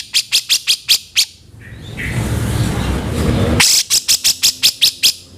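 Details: Grey-cheeked bulbul master sound for songbird training: two bursts of fast, clipped, buzzy notes, several per second, separated by a loud rushing noise.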